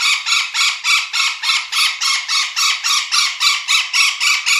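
Golden Parakeet giving loud, harsh, grating squawks, about three or four a second in a steady, regular run.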